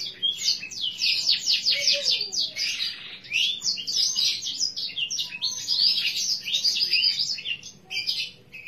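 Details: A green-bottle coloured canary (Serinus canaria) singing a long, unbroken run of fast, high trills and rolling chirps that shift in tone throughout, with soft room noise underneath.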